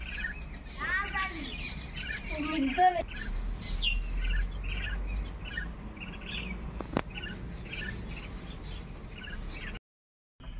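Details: Common myna group calling in the morning: a busy chorus of harsh chattering notes, rising squeaky whistles and short chirps repeated rapidly, with steady background hum and a sharp click near the end.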